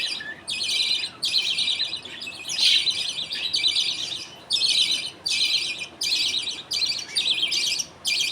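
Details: Budgerigars in a home colony at feeding time: the father feeds millet paste to two chicks while the mother watches and others wait. Harsh, buzzy chattering bursts of about half a second, repeated with short gaps, fill the clip.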